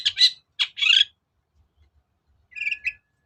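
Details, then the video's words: Long-tailed shrike lure recording, played to stir a reluctant cendet into song: loud rasping, grating notes in two bursts, a silent gap, then a softer chattering phrase over a steady thin whistle. "SUARA PIKAT CENDET SUSAH BUNYI"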